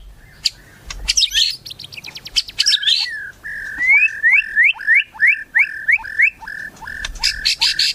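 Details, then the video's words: White-rumped shama singing melodiously: a jumble of high chattering notes, then a neat series of about ten rising whistled notes roughly three per second, finishing with rapid high trills. "MURAI MERDU"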